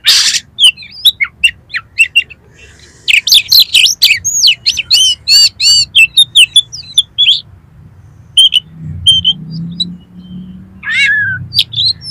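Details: Oriental magpie-robin (kacer) song used to prompt another kacer to sing and spread its tail; loud, varied whistled phrases, rapid sharp chips and buzzy trills in bursts with short pauses, and a low hum beneath.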